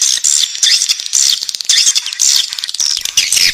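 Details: Young swiftlets in the nest produce loud, strained, hissing squeals in bursts of about half a second, closely packed and overlapping.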